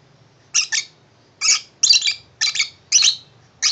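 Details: A tame lovebird delighted by its new cardboard box house repeats sharp, scratchy double chirps roughly every half second, loud and close, with a low hum in the room behind.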